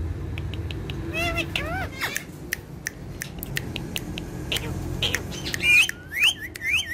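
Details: Two pet ringneck parrots, friends, dancing and talking indoors; short chattering bursts, then bent, harmonic whistled notes rising and falling, with squeaky calls near the end over a low room hum.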